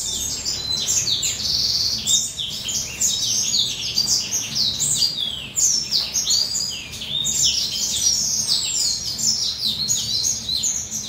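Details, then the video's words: Male western citril, about two to three years old, singing softly during its molting period; a continuous rapid twittering of high, sharp chirps and quick down-slurred notes, with no pauses and no other sounds. "Western Citril Male's Song"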